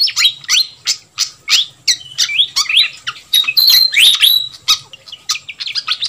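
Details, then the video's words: Noisy fantail flycatcher lure for drawing in wild birds: sharp high chirps and clicks, roughly three per second, with a brief clear whistled phrase in the middle. "Suara Pikat Burung Sikatan Kipas RIBUT"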